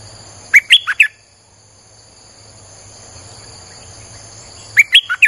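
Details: Lure recording of a Streak-eared bulbul, two short bursts of four bubbly chirped notes several seconds apart, steady high electronic-like tones running throughout.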